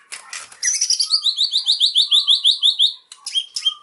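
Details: White-rumped shama giving a fast, regular series of sharp high notes, about three per second, followed by a short chattering phrase.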